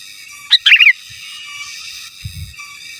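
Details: Sooty-headed bulbul in gacor song, giras and menggaruda style, used as a master song: one quick bubbly phrase, a sharp note then a rolling warble, followed by quiet with a steady whine and a soft low thud.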